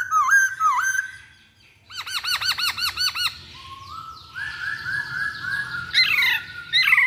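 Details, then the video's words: Masked laughingthrush singing as a lure for other birds: quick downslurred whistles, a run of bouncing looped notes, then drawn-out mellow whistles with sharp high notes at the end. "Pancingan Poksay Hongkong Paling Ampuh"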